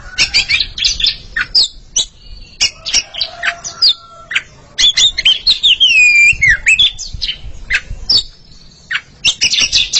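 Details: Oriental magpie-robins, a pair, singing against each other: quick sharp chips and ticks, then a loud sweeping, looping whistled phrase, followed by more rapid scratchy notes.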